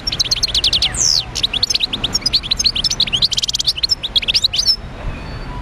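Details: Wild European goldfinch singing in Médéa: a fast, dense twittering of high metallic notes, with liquid trills and a sweeping downward slur near the start, running almost without pause for about five seconds.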